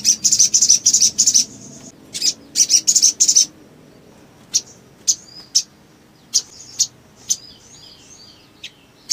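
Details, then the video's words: Ashy tailorbird, a lively singer used as a lure to provoke other tailorbirds, giving very high, sharp chipping notes in fast bursts, then spaced single high chips. "SOGON GACOR MERANGSANG SOGON LAIN CEPAT NGLEPER"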